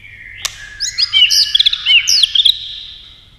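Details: White-rumped shama singing in contest style: a sharp click, then a fast, high run of twisting whistled notes and bright slurs that fades at the close.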